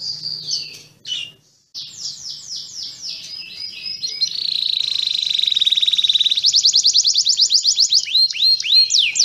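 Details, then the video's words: Canary song opening with a few sharp high notes and a brief pause, then a rolling series of descending slurs, a sustained buzzy trill and, finally, looping high rising-and-falling whistles. "Kenari Malas Berbunyi"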